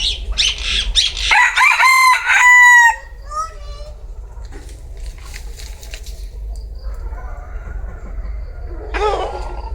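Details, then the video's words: A bantam cock gives a strident crow over the first three seconds, its notes sliding downward at the end, followed by fainter scattered calls and a brief harsh burst near the close, with steady low background hum. "Tiếng gà tre gáy"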